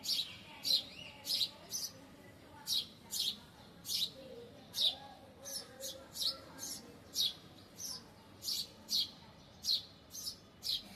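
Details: Bird perched on a balcony grill where it sits chirping all day; short, bright, high chirps repeated steadily about twice a second, roughly twenty notes, over a faint low background hum.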